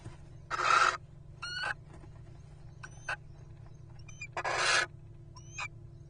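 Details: At a webcam, a Little owl pair drops in with a rodent, giving two harsh, rasping screeches about four seconds apart, with brief high squeaky notes between them, over a steady low hum.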